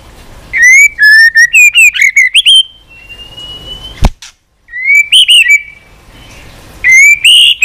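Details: White-rumped shama pouring out a lively song meant to excite shamas and teach many song types: clear whistles jumping in pitch, a long drawn rising note, a sharp snap, then more rich fluted phrases.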